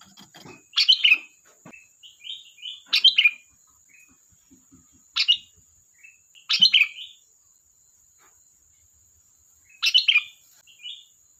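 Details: Sooty-headed bulbul singing: five loud, bubbly, liquid phrases spaced every two to three seconds, some followed by softer whistled notes, with a faint continuous high whine behind.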